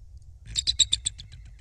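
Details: Bald eagle at a nest in Kisatchie National Forest, central Louisiana, on a December morning, 20 December 2023, 07:52, nest camera: a quick run of about seven thin, high chittering notes over one second, fading at the end.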